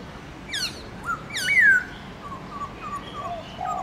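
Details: Black-throated laughingthrush in morning forest-style song with many notes: sharp falling slurs, a loud clear downward whistle, then a string of soft low warbled notes.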